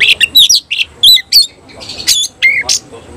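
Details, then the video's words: Oriental magpie-robin singing with tail fanned: loud, choppy phrases of sharp chirps and squeaky whistled notes, spaced by short silences, over faint background hum. "Kacer langsung NEMBAK NGOBRA BUKA EKOR"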